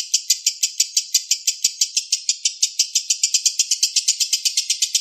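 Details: Young lovebird (balibu) in a tutor recording for training songbirds, delivering a long, dense run of sharp, high chirps repeated rapidly and steadily, about five notes per second, with no other sounds clear.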